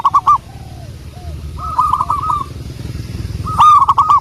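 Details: Local wild zebra dove, song used as a lure: separate short bursts of rolling, hooked coos at the start, middle and end, with faint lower coos and quiet background hum between them.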